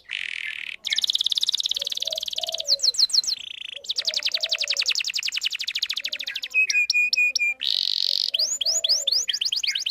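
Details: Canary, a female luring a male, singing long and continuously to train young birds: buzzy held notes open into a long, fast, even trill, then short clipped tonal notes and a run of sharp upslurred whistles.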